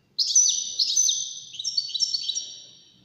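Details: European goldfinch, wild-caught and competing with four others for best song, giving a fast, tinkling phrase of high chirps and slurred notes that tails off gradually; quiet background.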